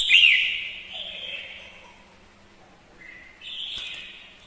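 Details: Female red-whiskered bulbul lure bird singing to stimulate males. A loud twisting whistle opens and then fades into a sustained tone, followed by a short low whistle and a softer whistled phrase.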